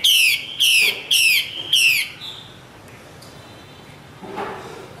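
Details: A female Chinese hwamei from the Northwest highlands gives four bright, rich, descending whistled phrases in quick succession over two seconds, followed by quiet with faint background sound.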